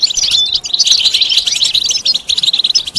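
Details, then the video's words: Goldfinch mating and readiness song of the batbata style, played to stimulate silent males to sing: a rapid jumble of bright, liquid twitters and sharp chips, unbroken and high-pitched throughout. "بتبتة فعالة و ستستة فتاكة رهيبة في علاج صمت الحسون"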